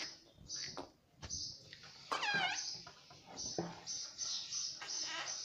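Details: Pet Indian ringneck parrot giving short, high chirps repeated in bursts throughout, with one loud squawk that sweeps downward in the middle; quiet room background with faint noises.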